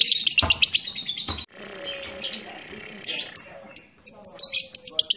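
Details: Lovebird giving a long 'ngetik ngekek panjang' ticking chatter, used to prompt other lovebirds to answer: rapid, sharp, high chirps in fast bursts, a brief quieter pause with faint lower murmuring, then more shrill repeated ticks.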